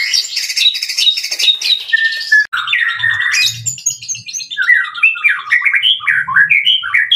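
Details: White-rumped shama singing loudly and continuously: a rich, varied run of fast warbles, whistled slurs and rapid trills jumping between high and middle pitches, with a short pause midway and faint low thumps in the background.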